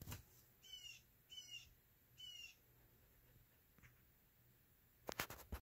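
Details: Blue jay yelling at a house cat that sits in a window, flying down into the garden to scold it. Three harsh, raspy, nasal calls in quick succession, each about a third of a second long, followed by a short burst of clattering noise.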